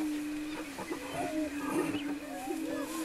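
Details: Greater prairie-chickens on a lek near Wray, Colorado, April 17, 2011: a steady low humming boom drones throughout while a few higher whooping, upward-curving calls rise above it.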